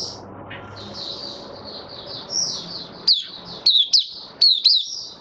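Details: Caged white-eye in Singapore, recorded 18 May 2022 after regular deworming and health supplements: high, thin warbling phrases followed by sharp rising-and-falling whistled notes in quick succession over steady background hum.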